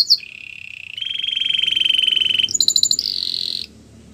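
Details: Canary singing, meant to encourage a silent canary to sing again: a long even rattling trill held for over a second, then a pulsed high rattle and a sharp buzzy roll before abrupt silence.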